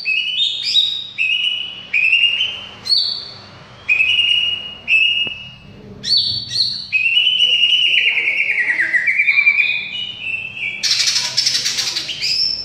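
A greater green leafbird sings loud, varied whistled phrases, some rising and some sliding down, in quick bursts every second or so, ending in a harsh buzzy flourish.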